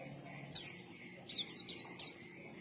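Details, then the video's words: Short white-eye song: one strong downslurred whistle, then three quick high notes and a soft level tone, over faint low noise. "KICAUAN BURUNG PLECI GACOR NGALAS"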